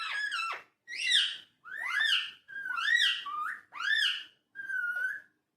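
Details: Talking parrot indoors in a small room, giving a run of six clear whistled, speech-like phrases, each rising and falling, roughly one per second, with short silent gaps between them.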